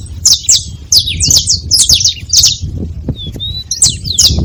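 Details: Saffron finch making noise at a feeding spot, giving high sharp chirps and descending slurred notes in quick bursts, with a brief clear whistle midway and low rumbling background noise.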